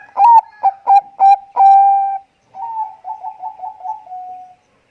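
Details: Energetic Bangkok-type zebra dove, recorded as a lure song: five loud, staccato ringing coos with a long sustained final note, then a quieter, bubbling run of short rolling coos.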